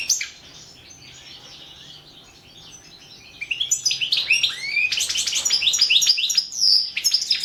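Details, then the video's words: Competition recording of a European goldfinch, Balkan form, for the 2017 world goldfinch song championship: quiet start, then rapid high twittering and sharp chirps, rising and falling notes crowded together in a lively, unbroken stream. "Pesma štiglića 002/ 2017 Ivana Mladenović World championship in Goldfinch Song 2017"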